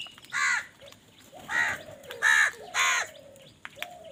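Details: Crows fighting over food: four loud, raspy caws spaced about half a second to a second apart, with softer, lower croaking notes between them.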